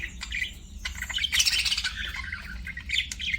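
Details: Budgerigar chirping with quick scratchy tweets and warbled chatter, building to a denser, louder run of squeaky notes in the middle, then trailing into separate short chirps.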